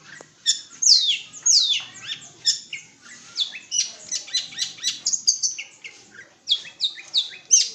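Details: Singing long-tailed shrike, East Java: a busy stream of shrill, downslurred squeaks and rapid, scratchy chattering notes running with almost no pause.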